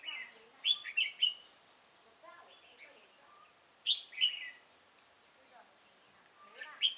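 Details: Red-whiskered bulbul at a decoy trapping site, Chùa Hương, 5 March 2018: loud clipped whistled phrases of three or four notes, separated by quiet gaps of two to three seconds, over a soft hiss.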